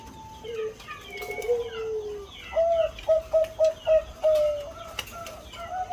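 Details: Zebra dove, Bangkok type with a big voice, cooing: a soft low falling coo, then a run of five short evenly spaced cooing notes ending in a longer note, with faint chirps of other birds behind.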